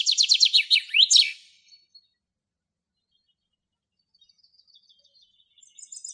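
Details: Wild common chaffinch singing in Greek nature: one bright strophe of about one second, a quick descending series of high repeated notes ending in a sharp flourish, then near silence with faint distant twitters.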